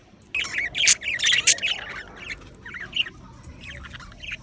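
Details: A happy pet budgerigar chatters in quick, scratchy chirps and squawks, rising and falling in rapid bursts.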